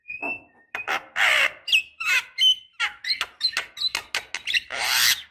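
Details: Black-winged starling, used as a lure to get lazy young birds calling: a rapid, uneven mix of rasping squawks, whistled notes and clipped chatter, closing with a long harsh screech.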